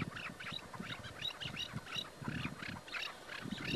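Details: Chukar partridge (keklik) in a cage, calling during a partridge hunt. Rapid, rhythmic chattering notes repeat several times per second in an even run, with low rumbling noise beneath.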